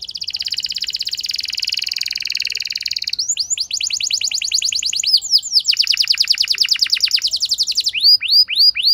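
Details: Canary singing as a lure to spur a less eager canary into long song; a sustained fast buzzy trill, then repeated sweeping whistled notes and another rapid rolling phrase, closing with looped whistles.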